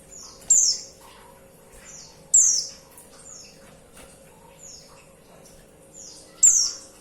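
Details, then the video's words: Female white-eye calling a male: loud, thin, high-pitched downslurred whistles roughly every two seconds, interspersed with softer high chips and notes, faint low hum behind. "Suara pleci betina"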